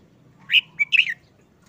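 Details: Caged red-whiskered bulbul in moult, uncovered after more than a month and looking listless, gives a short, simple song phrase: three quick bright warbled notes, the middle one a brief flat whistle, over a faint low hum.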